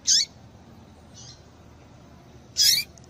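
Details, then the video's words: Call of a female double-collared seedeater, used to stir males into song: two sharp, high chirps about two and a half seconds apart, with a faint softer note between them, in a quiet setting. "Piado de Fêmea de Papa capim Para Esquentar Papa capim"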